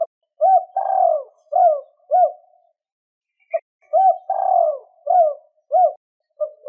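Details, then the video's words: Spotted dove giving a lure call to attract rivals, repeated mellow coos in quick phrases, each a short rising-then-falling note with one longer drawn coo, two phrases separated by a brief silence, clean recording. "Tiếng chim cu 2 hậu gáy kích bổi nhanh nổi"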